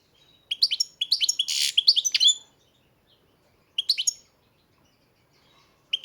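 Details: European goldfinch, a bred bird kept by a breeder, singing short bursts of bright twittering, tinkling notes with a buzzy rasp mid-phrase, then pausing and starting a fresh phrase twice more.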